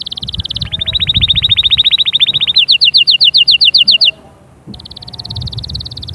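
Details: Canary song aimed at prompting young birds and preparing hens: a long fast even trill changes into a slower series of sharp repeated notes, breaks off briefly, then a dense high trill starts again.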